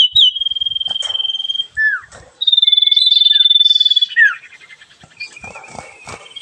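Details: Sooty-headed bulbul, called sirfu, singing vigorously: long rapidly pulsed whistled trills broken by falling slurred notes, then softer chattering notes.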